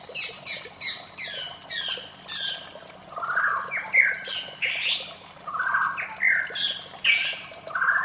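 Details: White-rumped shama in the morning, with harsh downslurred bursts opening, then rich swooping whistled phrases rising and falling, repeated every second or so over a faint steady background.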